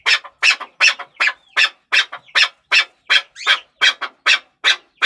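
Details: Chakor, the chukar partridge, gives a rapid series of harsh chuck notes, roughly three a second, with a few short squeaky slurred notes mixed between them.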